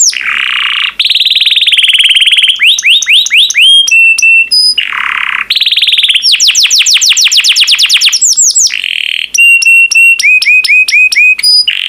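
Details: A bright yellow pet canary gives a loud, continuous song of long buzzy rolls, fast rising and falling whistle series and sharp repeated chips, with little pause over twelve seconds.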